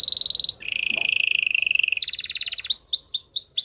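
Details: Canary song: a fast high trill drops into a lower rolling buzz, then rapid pulsed notes and a run of repeated upward-sweeping whistled swoops.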